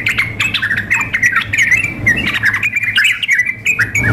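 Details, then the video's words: Female sooty-headed bulbul calling a male, layered with an energetic singer: quick chirpy, slightly squawky notes tumbling over one another without pause, with a constant low electrical hum beneath. "trucuk memanggil dengan trucuk gacor mengamuk"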